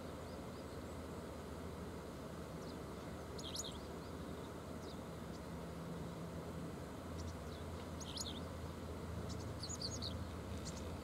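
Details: Japanese wagtail calling to companions beside the Oita River on a July 30 morning at 7:14. Short, sharp, high chirps come singly and in quick clusters, scattered over the clip, over a steady low roar of flowing water and a distant rumble.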